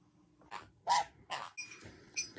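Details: A pet sun conure gives short, harsh, raspy squawks in quick bursts, then a higher, thinner screech.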